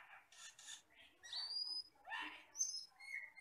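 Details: Asian glossy starling, a wild forest bird, used as a tutor song: harsh buzzy notes, a long rising thin whistle, a rough scratchy phrase and short high pure whistles.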